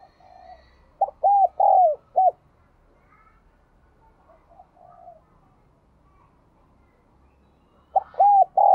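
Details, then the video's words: Resonant 'giọng đồng kim' cooing of a spotted dove. A loud four-part phrase opens with a clipped note, two long bowed coos and a short end note. Quiet murmuring coos and low rumbling follow, then a new phrase begins at the end. "cu gáy giọng đồng kim"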